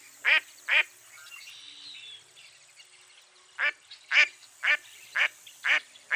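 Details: A mottled duck gives two hoarse quacks, falls silent for about two and a half seconds, then resumes with six more evenly spaced quacks.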